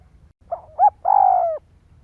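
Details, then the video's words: Single phrase from a spotted dove used as a decoy in Vietnam to excite other doves: a soft short coo, a sharper rising-falling note, then a long steady throaty coo trailing off. "Tiếng chim cu gáy kích bổi"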